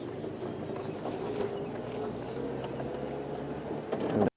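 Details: Steady vehicle engine rumble with faint voices during an evening safari drive, and no animal calls stand out.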